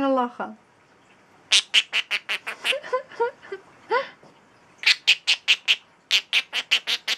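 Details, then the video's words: A male pet talking bird gives a brief word-like phrase, shrieking "Pikachu", then runs of harsh, rapid shrieks about five per second, broken by a rising, chattering "evil laugh" repeated over and over. "talking bird is shrieking Pikachu and doing his evil laugh over and over!!"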